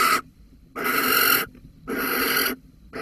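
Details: Holten barn owl, 13 May 2020, calling about a mouse: long, drawn-out harsh hisses of over half a second, rough and broadband, with clear silent gaps between them.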